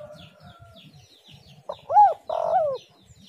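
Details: Spotted dove call meant to lure other doves: a single phrase of an arched hoot followed by a longer wavering coo, with faint high chirping of small birds throughout the background.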